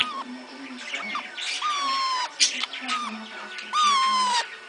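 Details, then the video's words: A kakariki (New Zealand parakeet) gives funny, drawn-out, nasal, squawky calls that slide slightly downward, two longer ones about two seconds apart, with softer chatter between and faint room noise. "funny kakariki sounds"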